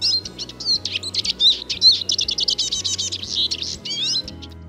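Eurasian Siskin singing a fast, continuous twitter of high chirps and wheezy, buzzy slurred notes, with a soft low musical hum underneath.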